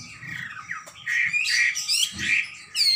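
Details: A Chinese hwamei (Garrulax canorus) sings vigorously in a loud, fast run of varied phrases: slurred whistles, rich warbles and harsh notes tumbling together, over a faint low hum.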